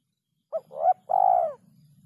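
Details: Spotted dove cooing in the kuk 3 style, clean recording: a short note, a rising throaty coo, then a long, slightly tremulous hollow coo that fades down, with a faint low hum behind.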